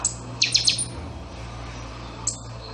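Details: Buffy-fronted seedeater, known as pixoxó, in chanchão song: a short high chip, then a fast run of three ringing metallic notes, a pause, and one more sharp note, with low background hum.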